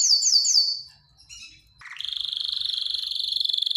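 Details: Canary song aimed at stirring females into mating: three rapid falling slurs, a pause with soft notes, then a low start rising into an even, quickly throbbing high trill.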